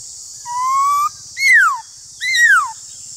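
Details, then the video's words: Black-throated laughingthrush in a song duel: a slowly rising clear whistle followed by two loud, downward-sweeping notes, with a soft low pulsing hum and high hiss behind. "Khướu bạc má Hót Đấu với khướu ngoài"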